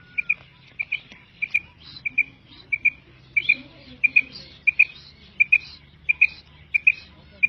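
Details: Female common quail calling in short paired high notes, a quick double pip repeated roughly every two-thirds of a second, steady and clear over a faint low hum.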